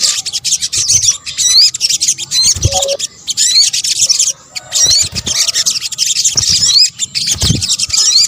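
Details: Combined sogok ontong, or sunbird, calls used as a bird lure: rapid, high, scratchy chatter carrying repeated short rising squeaks, in several bursts separated by short silences.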